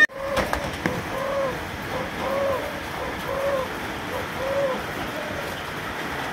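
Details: Three-month-old Malaysian-line spotted dove, described as a future fighter, gives five short, soft, low coos spaced about one second apart over a steady background hiss.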